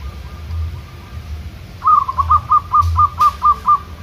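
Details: Zebra dove of local stock answering wild doves during outdoor training. After a quiet start, a fast even run of about nine short cooing notes, delivered in quick succession, over low droning noise.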